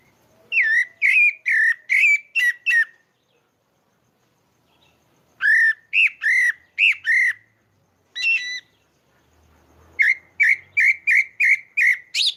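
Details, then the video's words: Natural song of a Pale-breasted thrush (sabiá-barranco) from Maranhão, Brazil: three bursts of rapid, evenly spaced whistled notes, five to seven per burst, each note bending slightly, separated by silent gaps of about two seconds. "Canto do Sabiá ao vivo"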